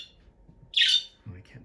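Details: A pet budgerigar, perched on its owner's shoulder during cage cleaning, gives one harsh, buzzy chirp lasting about a third of a second, followed by a woman's low speech.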